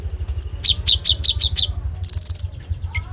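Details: Iora in 'gacor' form, phone-recorded: two thin high whistles, then a run of six or seven evenly spaced downslurred chips, a short buzzy high trill, and a final sharp note, all over a constant low mechanical hum.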